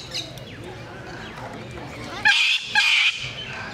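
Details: Blue-and-yellow macaw giving two loud, harsh, raspy squawks about half a second apart, rising out of a steady background hum and murmur.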